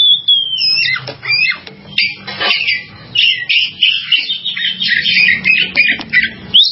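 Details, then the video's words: Oriental magpie-robin in continuous, dense song: a long clear whistle at the start, then rapid twittering, warbled runs and slurred notes with barely a pause, over a soft low hum. "SUARA BURUNG KACER"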